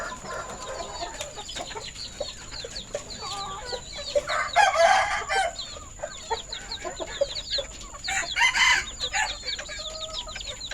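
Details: Red and orange village rooster on a farm during afternoon feeding, February 2022; two loud hoarse crow bursts, roughly four seconds apart, over steady clucking and peeping from the flock.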